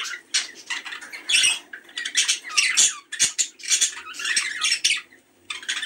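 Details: Budgerigars with a call played to stimulate mating: loud squawks and scratchy warbles in separate bursts about half a second long, then a short lull, over a faint low electrical-sounding hum.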